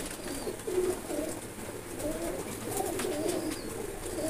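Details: Blue-coloured pigeons kept for the sport of pigeon flying, ready to fly; soft, low, warbling coos roll in overlapping bursts over a steady background hiss, with faint higher chirps now and then.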